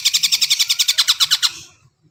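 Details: Brief burst from a greater green leafbird: about fifteen rapid ringing notes in steady rhythm, fading out abruptly, used to encourage birds that have not yet sung.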